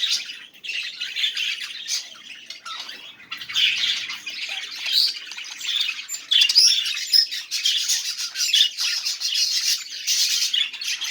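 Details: Budgerigar warbling intended to get silent budgies singing: a long, rapid, scratchy chatter of chirps, clicks and squeaky notes running continuously, with slightly louder bursts toward the end.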